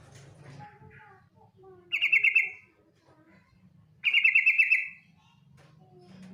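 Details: Trilling call of a female yellow-vented bulbul summoning the male: two short, harsh buzzy rattles about two seconds apart, with faint low notes between them.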